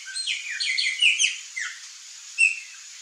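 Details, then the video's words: A wild pair of whistling herons (Syrigma sibilatrix), known in Brazil as maria-faceira, calling: overlapping high, thin whistled notes that slide downward, given in quick irregular bursts over about three seconds, with a faint steady background hiss. "WHISTLING HERON couple (SYRIGMA SIBILATRIX), MARIA FACEIRA"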